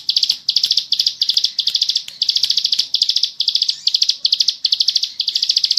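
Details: Bar-winged prinia singing ngebren for a training recording: short, buzzy, high bursts of a few quick notes repeated about twice a second, with faint clicking in the background.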